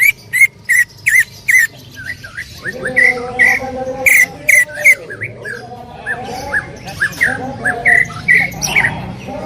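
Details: Cucak ijo, greater green leafbird, in loud 'tembakan' song: a burst of sharp downslurred whistled strokes opens, then a busier stretch of varied chattering phrases over faint background noise, ending with more quick whistled notes.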